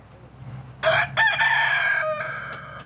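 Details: Rooster crowing in Güre village, Edremit, Balıkesir, Turkey, on the slopes of the Kaz Mountains. After a quiet start comes one loud, harmonic, drawn-out crow lasting about two seconds, with a brief break near its start and faint village background.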